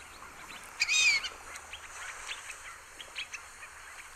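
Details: A Fulvous Whistling-Duck (Dendrocygna bicolor) at Sonso Lagoon near Buga, Valle del Cauca, Colombia, in tropical dry forest, gives one loud, squeaky whistle that rises then slurs down, with faint high chips and chatter around it.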